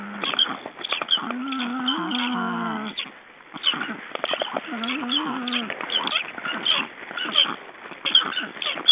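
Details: Black stork calling while being ringed in Estonia, 29 June 2012: two drawn-out, wobbling nasal calls with many harmonics, separated by a pause and surrounded by dense clicking and rustling noise.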